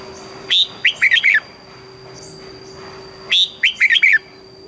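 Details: Red-whiskered bulbul from Thailand singing in the southern master-pattern style, played for stimulating birds: two identical phrases almost three seconds apart, each an opening whistle and a quick four-note warble, steady tonal hum beneath.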